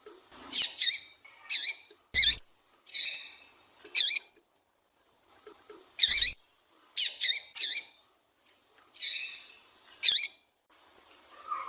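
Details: High, buzzy, down-bending chip notes from a female Double-collared Seedeater, given singly or in quick pairs over about twelve seconds; these calls serve to excite a captive male into song. Occasional clicks.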